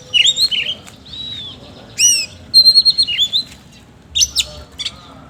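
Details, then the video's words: Oriental magpie-robin singing energetically in a harsh-note style: loud varied whistles, quick falling sweeps and a run of rapid clipped notes, delivered in bursts separated by short quiet gaps. "BURUNG KACER GACOR NGOBRA ISIAN KASAR"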